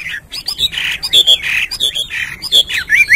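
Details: Hwamei singing in the morning: a busy, varied run of loud whistled and slurred notes with harsher squawky phrases, quick rising and falling trills mixed together, delivered almost without pause throughout.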